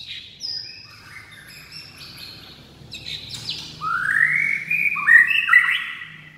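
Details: A white-rumped shama sings a lively, varied song. Soft high whistles build into loud, sweeping rising phrases and quick fluty trills near the end, over quiet background hum.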